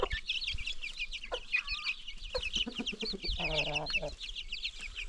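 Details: New baby chicks with free-range farm chickens peep rapidly and shrilly, while an adult gives short clucks and a drawn-out, harsher, buzzy call shortly after three seconds.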